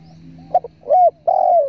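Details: Spotted dove call for luring birds while hunting: soft clicks, then a rounded coo and a longer, slowly falling coo, with a low steady hum underneath.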